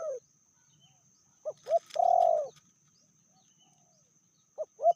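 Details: Female spotted dove, described as more aggressive than the male, medium voice: the end of one coo, two short sharp notes, a long loud sustained coo, then quiet before two more short notes.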